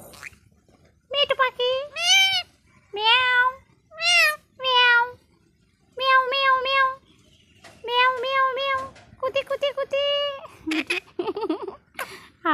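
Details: Pet parrot talking in Bangla, here giving a run of loud, drawn-out meow-like calls with rich harmonics, several in quick succession, mixed with nearby human speech in a small indoor room.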